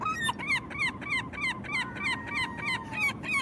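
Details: Herring gull giving a fast, regular run of short, ringing, yelping notes, roughly three a second, each arching in pitch, with a steady low background rumble.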